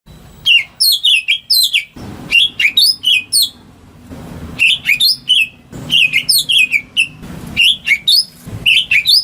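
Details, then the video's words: Home-kept greater green leafbird singing, used to lure silent birds into song: loud bursts of rapid, high warbled and slurred whistles, about five bursts separated by short pauses, over faint low room hum. "Cucak Ijo Rumahan Yang Cocok Buat Pancingan Burung Macet"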